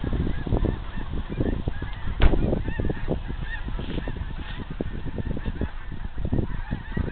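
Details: Huge flock of geese flying over Riverfront Park south of Bonner Springs, Kansas, on 28 February 2010, a flight lasting some 45 minutes; faint, overlapping distant honks form a steady chorus over a low rumbling background.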